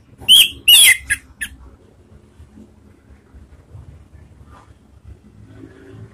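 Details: Orange-headed thrush ngeplong voice, a ngeriwik lure meant to trigger singing: three or four loud, clipped raspy notes within a second, then near-quiet with faint low background rumble.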